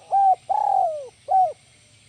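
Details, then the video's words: Spotted dove giving the 'kuk 1 melambung' coo: a short opening note, a long vibrating coo that drops away at its end, and a short closing coo, deep and clear against a soft low hum. "SUARA BURUNG TEKUKUR IDAMAN KUK 1 MELAMBUNG"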